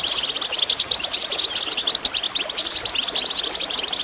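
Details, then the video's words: Bright, fast goldfinch twitter over gurgling water, used to get birds singing. Dense bubbling chirps with occasional thin higher squeaks run without a break. "Water gurgling with goldfinch chirping to encourage birds to song"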